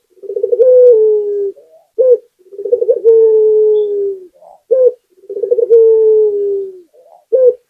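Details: Three complete song phrases from a vigorously singing local spotted dove, each a fast bubbling roll that stretches into a long, gently descending coo and then a brief abrupt coo, repeated at an even pace in quiet surroundings.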